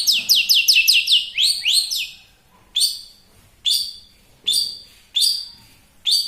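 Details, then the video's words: Champion long-tailed shrike, used as a master bird: a quick series of rising slurred notes, then loud, separate, downslurred harsh notes spaced about a second apart. "BURUNG CENDET MATERI TERBARU,SUPER GACOR+SPEED RAPET"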